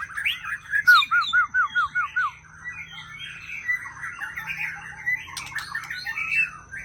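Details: White-rumped shama, young wild-caught bird of the Aceh type, singing a run of six or seven clear, looping whistled notes at an even pace, then a softer, busier twittering phrase, with a faint steady hum behind.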